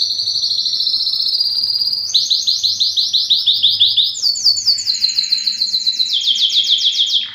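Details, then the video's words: Belgian canary delivering its strongest song to attract females for breeding, with a sustained high trill, then a long chain of sharp descending syllables, followed by faster rolling notes and a final run of swooping chirps. "O canto mais forte do canário belga que atrai as fêmeas para a reprodução"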